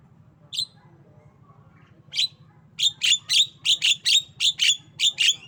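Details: Tame female black-winged myna, kept as a pet, giving its coughing and laughing calls: short harsh bursts, sparse at first, then a rapid series of about nine chattering notes in under three seconds.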